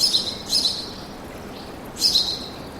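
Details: Birds singing in a forest: two short, high, sharp chirp bursts about a second and a half apart, with quiet background hiss between them.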